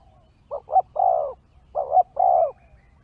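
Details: Spotted dove heard as a lure for wild birds, giving two cooing phrases: a couple of short, clipped notes, then a longer, drawn-out mellow coo. Each phrase lasts about a second, over quiet low background noise.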